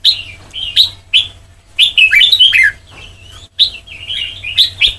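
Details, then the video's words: Sông Kon style song from a white-cheeked red-whiskered bulbul used in song training. Crisp whistled notes open into a rapid warbled phrase, a pause, then another run of bright chirping notes. "Ép Giọng Cho Chào Mào Má Trắng Thành Sông Kon Chuẩn 100%"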